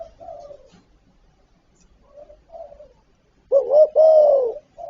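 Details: Spotted dove from a full repertoire of calling, urging and cooing, meant to stir other doves to call quickly: soft low coos at first, then two loud, slurred, mid-pitched coos that rise and fall, with a faint short note at the end.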